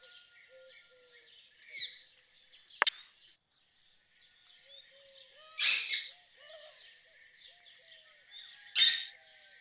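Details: Rose-ringed parakeet calls: two loud, raspy screeches about three seconds apart, with scattered short chirps and clicks from other birds between them.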